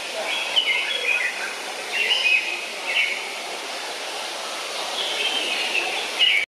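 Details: A bulbul in a zoo, given as red-vented though also described as a red-whiskered bulbul, makes short, bubbly chirps in scattered bursts every second or two over a steady hiss of background noise.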